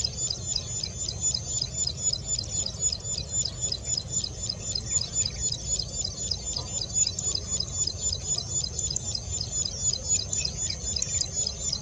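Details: Plain prinia, 11 April 2020, singing a rapid rhythmic string of high buzzy notes, roughly four per second, continuing throughout, with a persistent high-pitched hum and low rumbling noise.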